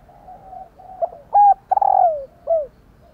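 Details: Spotted dove hen calling to provoke male cooing. Soft low murmurs lead into sharp clipped hoots, then one long falling coo and a final short note.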